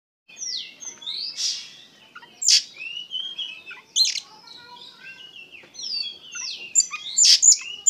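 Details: Oriental magpie-robin (kacer) singing vigorously in the gacor, ngeplong style, described as full of emotion: varied high whistled phrases and rising and falling slurs, with sharp loud notes near the middle and at the end.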